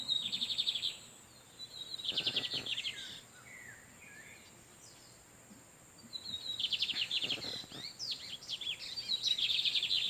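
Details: Lined seedeater males in natural habitat trading torniado song beside an incubating female; loud high buzzy trills in repeated phrases, a pause midway, then dense overlapping phrases that run to the end.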